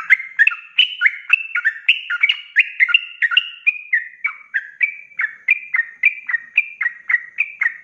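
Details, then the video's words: Tutor recording of a vigorously singing sooty-headed bulbul in ropelan style for cage birds: a dense, chattering series of overlapping whistled notes and rising-falling flicks, repeated rapidly for about eight seconds. "SUARA ROPELAN BURUNG TRUCUK GACOR"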